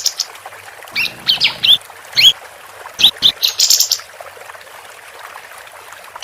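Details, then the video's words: Female capped white-eye in lively song, recorded as a master for training competition birds. Brief high chips and rising whistled notes come in scattered clusters, then a quiet stretch before one last chirp. "Kapas Tembak Betina Gacor"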